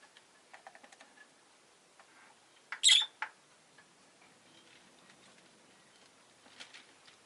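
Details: Rosy-faced lovebird kept as a pet, one sharp, harsh chirp with a quick second note midway, among faint scattered clicks and low background hiss.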